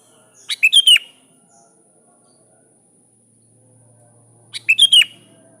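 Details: Calling a rival, a Sooty-headed bulbul repeats a rapid, liquid four-note whistled phrase twice, about four seconds apart, with a faint low hum in the background.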